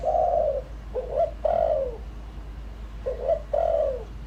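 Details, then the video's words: Decoy spotted dove giving its full lure calling set meant to stir wild doves: low, mellow coos, a short stuttered note then a longer drawn coo, repeated twice, with a steady low hum underneath. "tiếng chim cu gáy mồi đủ bài gọi thúc gù giọng hợp Bổi kích bổi nhanh nổi"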